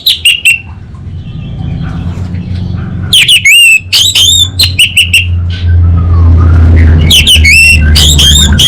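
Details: Orange-headed thrush (anis bata) in North Bali delivering loud, clipped, harmonic whistles in quick clusters, with soft twitters between, over low rumbling hum.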